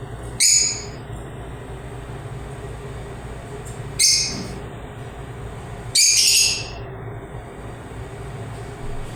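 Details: Lovebird chirps: three short, piercing, high squeaky bursts roughly two seconds apart, the last one loudest and most strident, then quiet with only a steady low hum and a faint final chirp.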